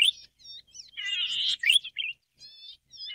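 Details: Cisticola exilis volitans, the golden-headed cisticola, sings a wheezy buzz followed by a rising liquid note and a short slurred note, framed by soft thin high whistles.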